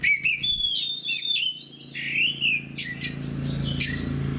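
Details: An aggressive, vigorously singing oriental magpie-robin kept by bird fanciers opens with long pure whistles, then moves into swooping slurs and scratchy high bursts. Its energy fades toward the end over a low humming background.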